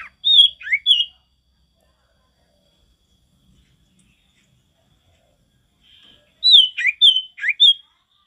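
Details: Male sirtu singing actively in a natural forest setting: two short bursts of high, sharp chirped notes with quick downslurs, each phrase about a second long, separated by several seconds of silence.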